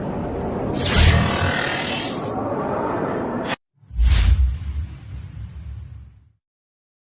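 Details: Whooshing sound effects and a low rumble, with a short silent gap, then a second whoosh that fades out; no animal voice is heard.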